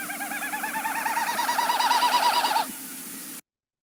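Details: Wilson's Snipe winnowing flight display near a wetland, made as the bird stoops at speed: a hollow, rapidly pulsing hu-hu-hu swelling over about two and a half seconds, then cutting off, with faint room hiss.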